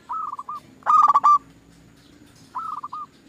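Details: Zebra dove singing on a lure track meant to make other doves sing: a short series of soft coos, a loud grating stuttered burst, then another rolling run of clipped coos.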